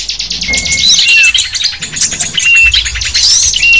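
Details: Small birds twittering in a lure recording for attracting wild small birds: fast, high buzzy chatter in pulses, with brief clear whistles and a few thin rising notes scattered through it.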